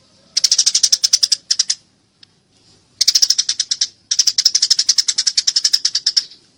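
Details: Eurasian tree sparrow during a fight: long rapid bursts of harsh, buzzy high chirping, about three runs of a second or more each, separated by short quiet gaps, clean sound.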